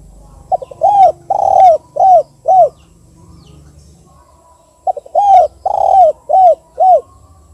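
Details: A spotted dove, used as a lure call, gives two phrases of low, hollow coos, each a quick stutter then three or four mellow notes, with a soft rumble of background noise.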